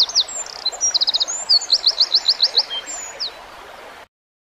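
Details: Wren song with rapid buzzy trills and evenly spaced sharp descending notes about four per second, other high chips mixed in, ending abruptly in silence after four seconds.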